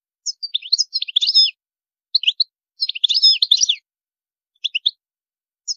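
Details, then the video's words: European goldfinch delivering high maqamat song: two dense bursts of tumbling, tinkling twitters separated by brief pairs of sharp chirps, with quiet gaps between phrases. "تغريد الحسون جميل دو مقامات عالية"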